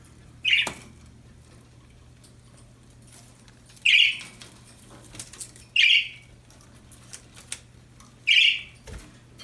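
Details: Happy budgies chirping: four short, sharp, mid-high chirps spaced two to three seconds apart, each a quick bright burst, with light clicks and scratching between them.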